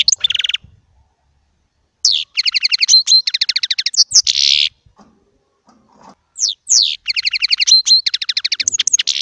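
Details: Small baster, a goldfinch hybrid, singing goldfinch-style song: high twittering bursts of rapid chirps and buzzy trills, paused briefly between phrases, with a brief nasal buzz in the middle.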